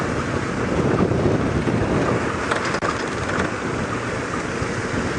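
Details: Heavy rumbling vehicle and wind noise fill the recording, and no animal voice stands out.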